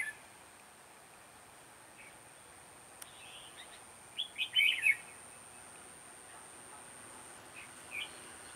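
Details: Red-whiskered bulbul at a trap, sharp lively voice style giọng đanh lăng xăng: after quiet chips, a strong run of quick, bubbly warbled notes, then a couple of faint single calls.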